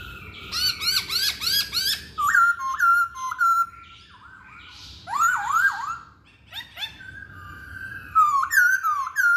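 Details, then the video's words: Masked laughingthrush song: rapid arched rolling notes, then steady whistles, several downslurred swoops and further bright whistled phrases with short pauses. "Kicauan Poksay Hongkong"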